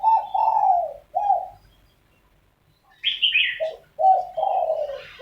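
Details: Spotted doves arguing in early morning: drawn-out falling coos, a quiet gap, then a bright higher chirping burst from another bird, followed by more rolling coos.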